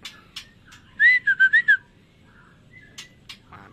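A Black shama gives a quick phrase of five clear, whistled notes that swoop up and down, with a few sharp clicks and taps before and after.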